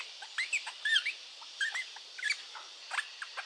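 A rosella chatters in quick bursts of squeaky, clipped notes mixed with short rising and falling whistled slurs, high and bright, with nothing else heard.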